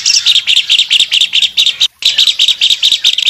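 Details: Albino Asian pied starling singing hard while opening its wings. Rapid, rough chirps come about twice a second, split by a brief silence near the middle before the chatter resumes.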